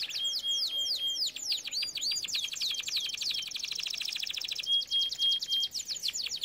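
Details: Canary song for training canaries: rapid descending whistles with a thin steady tone, swelling into a dense buzzing trill, then a pure whistle and renewed sweeping notes.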